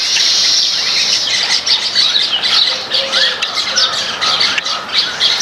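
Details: Grain-eating flock of Baya weavers in a backyard: loud, harsh squeaky chatter and rapid high chirps in a dense, pulsing mass, with short surging bursts in the latter half.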